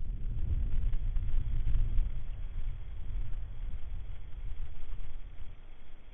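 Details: Low rumbling wind or handling noise with no bird or other animal sound.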